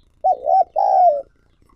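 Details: Spotted dove acting as a lure for wild doves, giving a rolling double coo and then a longer, steady, mellow note that falls gently at its end.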